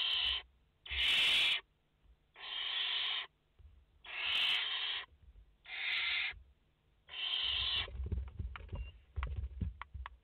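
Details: A series of six harsh hissing screeches at irregular intervals from a barn owl nest in France, a mother with four chicks, 30 August 2021, ending in a spell of scratching and knocking sounds.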